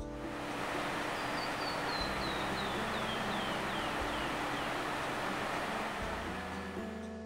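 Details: A canyon wren sings along the Bright Angel Trail in the Grand Canyon, before Indian Garden: about a dozen clear, high, slurred notes tumbling down the scale at roughly four per second, over soft music and a steady rushing background.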